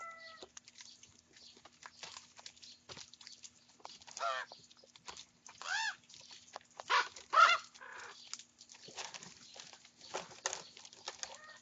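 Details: Young common ravens squabbling over breakfast food, several birds together; scattered hoarse, arched harmonic squawks rise and fall between soft clicks and pecking sounds, louder bursts near the middle.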